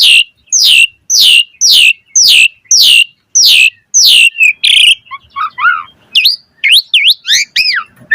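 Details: Asian pied starling in energetic song used as a prompt for other birds to respond: seven loud harsh downslurred notes at half-second intervals, then softer twitters and sharp upslurred whistles.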